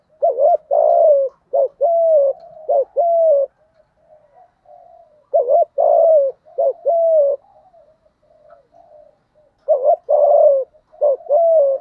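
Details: Thổ-voiced spotted dove cooing to challenge a rival male: three bursts of rhythmic phrases, each a string of short dipping notes and longer level coos, separated by soft murmuring pauses.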